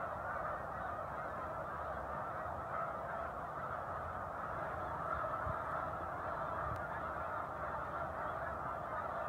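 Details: A large raft of snow geese on Cayuga Lake between Romulus and Aurora, New York, in December 2023, calling together in a continuous din: a dense chorus of nasal, yelping honks blending into one steady roar.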